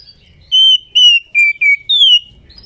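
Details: Female white-rumped shama kept as a cage bird, calling in breeding condition to spur males to sing: five pure whistled notes, two level and high, two lower, then a long downslurred whistle, followed by a faint note.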